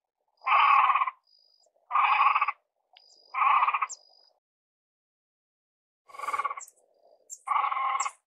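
A great crested grebe gives five harsh, nasal, bleating calls, each under a second, spaced one to two seconds apart. Faint high chirps from other birds are also heard.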